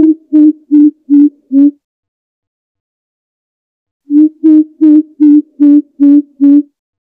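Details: Greater coucal calling to its flock, used as a lure call for forest birds: deep, hollow boops, five evenly spaced notes, a pause, then seven more at about three per second, low and resonant.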